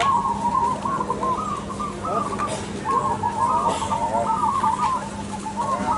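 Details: Crossbred zebra dove singing vigorously at a bird-singing contest: bubbling, rolling coos in short phrases near one pitch, with overlapping coos from other doves, a steady low hum and occasional clicks behind.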